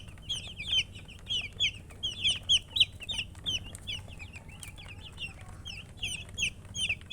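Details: Several chicks chirp insistently, loud clear peeps that drop sharply in pitch, tumbling out in quick bursts with short gaps, with a steady faint low hum behind.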